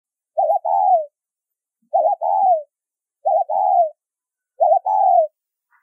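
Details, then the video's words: Spotted dove calling in the Vietnamese "thúc rút bổi" style, heard in a bird-trapping context: four clear two-part coos, each a short stuttered note followed by a longer falling coo, repeated about every one and a half seconds in silence. "Tiếng Chim Cu Gáy Thúc Rút Bổi , Tông Còi Âm Quá Hay"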